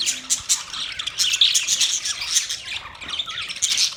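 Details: Steady high-pitched budgie chatter, rapid scratchy chirps and short squawks running without pause, several notes overlapping.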